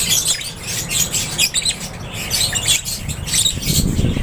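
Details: Lovebirds in an aviary giving a dense chorus of shrill, overlapping high chirps and squawks, with bursts of wingbeats and a low background rumble.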